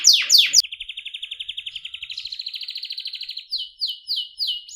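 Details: Canary song: two sharp downslurred notes, then a long even rapid trill of about four notes per second, ending in a few swooping whistled phrases.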